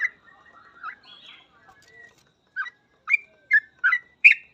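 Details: Sooty-headed bulbul in gacor full ropel song, meant as a master for training: soft, faint warbled chatter at first, then loud clipped whistled notes coming faster, about every half second, ending on a strong rising note.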